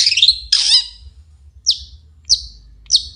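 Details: Morning song of a long-tailed shrike: two scratchy, buzzy bursts open the phrase, then three short, sharp downslurred chips spaced about half a second apart, with a low steady hum beneath.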